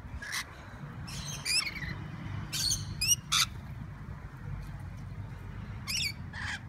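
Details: Rainbow lorikeets (Trichoglossus moluccanus), wild birds in Sydney, give harsh, shrill screeches and squawks in irregular bursts over a low rumble of background noise.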